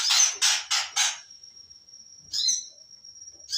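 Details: Long-tailed shrike, called Cendet Macan, gives four harsh rasping notes in quick succession, then a long thin steady high whistle, another rasp and the whistle again.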